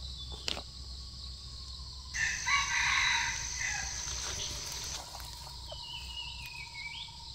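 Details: Red junglefowl drawn in by a female decoy during hunting, giving one harsh, harmonic-rich crow of about three seconds that starts abruptly and fades. A steady high insect drone and a thin tonal hum run underneath.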